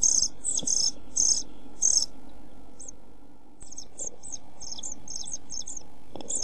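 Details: Nest-box European pied flycatcher chicks, 27 June 2013, in hot weather with little food. A few loud hissy begging bursts come first, followed by fainter, thinner scattered notes.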